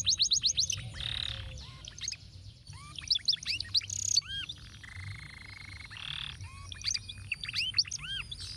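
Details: Tutoring song of a canary in the ruwet style, used to teach other birds. Quick ticking trills give way to buzzy bursts and paired upward-curving whistles, then a long flat buzzing note, over a soft low background rumble.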